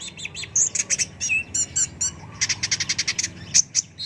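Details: Short burst of excited song from a sunbird called kolibri ninja: clusters of piercing high chirps and a brief whistled slur, then an evenly spaced run of quick ticking notes.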